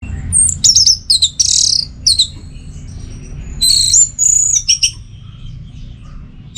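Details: Orange-headed thrush song in the 'teler' style, used as tutor and trigger recording for keeping birds singing: scattered bursts of high sharp chirps and slurred whistles with brief pauses between, over a steady low hum.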